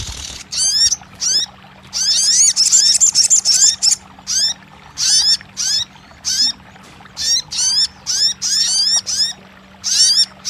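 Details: Crested jay, known locally as sogon, used to coax a non-singing bird into calling back: bursts of fast rattling alternating with sharp upward-sweeping whistled notes, grouped in short phrases separated by brief silences.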